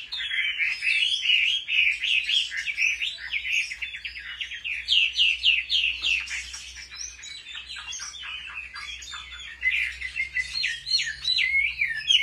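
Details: A Chinese hwamei sings a fighting song during training at home, giving a long, dense stream of fast whistled and chattering notes, briefly softer midway and then louder again.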